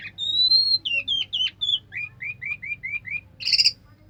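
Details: Orange-headed thrush (anis merah) song phrase: a long, clear high whistle followed by a descending series of short whistled slurs, about a dozen evenly spaced notes, ending in a harsh, buzzy burst.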